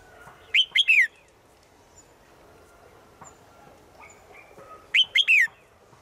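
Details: A female bird in the forest calls daily to a male: two strident three-note phrases roughly four seconds apart, notes arching up then dropping, the final one longest.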